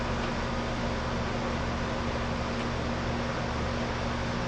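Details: Constant broadband hiss like a fan or air conditioner, with low steady hum and no animal sound.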